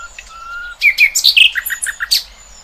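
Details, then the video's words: Outdoor birds give a short sustained whistle, then a busy chattering jumble of sharp chirps and squeaks over about two seconds, with a faint thin high tone underneath. "Kicauan Burung Cerminkan Suasana Damai"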